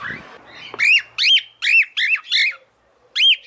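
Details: Female cockatiel calling to the male, a short low rustle then five loud arched whistled calls in quick succession, a pause, and one final call.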